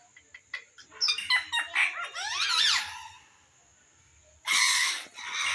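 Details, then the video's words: Indian green ringneck parakeet and baby parrot in India: a burst of quick chirps and sweeping whistled notes building into rapid rising-falling trills, then a pause before a harsh loud screech. "Indian Green ringneck talking parrot with baby parrot"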